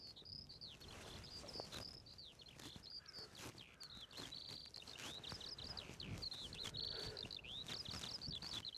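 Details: Eurasian skylark on sunny open downs at Ventnor, Isle of Wight, pouring out an unbroken high warbling song of quick varied chirps and trills, with gusty wind and handling bumps in the background.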